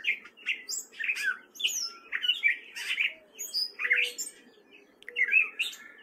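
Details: Spring song of a male gray catbird in Fairfield, Iowa: a continuous run of varied short phrases, squeaks, slurred chirps and scratchy notes following each other with barely a pause, against a soft low hum.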